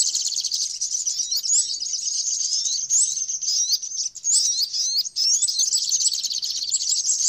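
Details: Continuous high, thin twitter from a flowerpecker, packed with quick ticking chirps and occasional brighter rising whistles, steady throughout.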